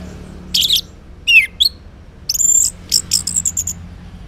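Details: Orange-headed thrush singing in the morning as a lure for silent males to answer; varied phrases of buzzy high notes, a sliding whistle, and a fast string of bright repeated notes.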